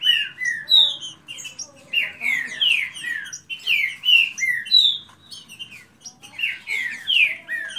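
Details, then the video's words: Kept green-winged saltators compete in a fast singing contest: loud, clear whistled notes gliding down in quick clustered phrases, repeated with short gaps, voices overlapping. "Disputa de canto rápido Esquente seu trinca ferro"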